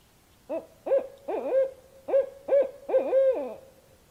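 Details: A barred owl gives a rhythmic run of six hoots, some paired and doubled, rising then falling in pitch, finishing with a longer, wavering hoot that trails down; no other sounds.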